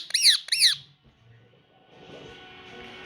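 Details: Captive ringneck parrot indoors giving two bright, arched squawk-like syllables, followed by quiet room noise.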